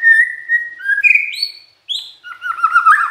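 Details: Magpie-robin song intended to make other magpie-robins react: a steady clear whistle, a lower note, a rising high slur and a falling whistle, then a quick jumbled chattering warble.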